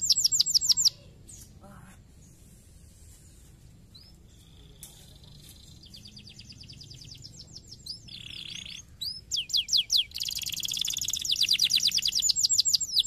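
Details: Canary singing to stimulate other canaries: a short fast high trill, then a quiet stretch with scattered soft notes and a steady tone. Louder rolling trills and rapid repeated notes build up toward the end.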